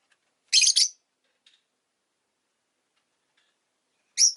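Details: Pet Rosy-faced lovebird uttering a harsh, buzzy double chirp, then a long silence and another rasping high chirp at the end.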